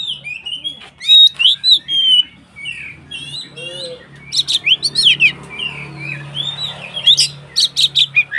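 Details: White-rumped shama song to provoke other shamas: rapid whistled phrases and chatters, then a run of sharp, loud staccato notes repeated in quick bursts, over a steady low hum.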